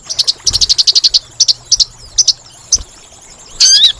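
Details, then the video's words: Lure call of a sogon (sunbird) for trapping: a fast stutter of shrill high chirps, then scattered single notes, ending in a loud swept whistled phrase. "Suara Pikat Burung Sogon Paling Ampuh"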